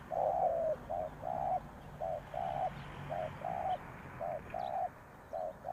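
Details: Spotted dove kept as a lure for wild doves, repeating muffled two-part coos, a short hoot then a longer flatter note, steadily over several seconds.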